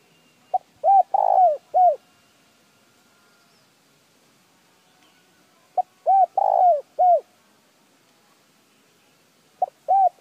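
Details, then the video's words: [2, 'Spotted dove coo phrases used to stimulate other birds to call. Three phrases arrive about every four to five seconds. Each has a short lead note, mellow hollow coos and one longer, downward-sliding note, with silence between.'] "Tiếng chim cu gáy kích bổi nhanh nổi"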